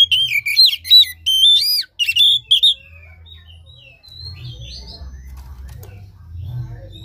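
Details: Oriental magpie-robin song used to stimulate a lazy caged bird: nearly three seconds of loud, sweet whistled and warbled phrases in quick bursts, then only faint background rumble and distant chirps.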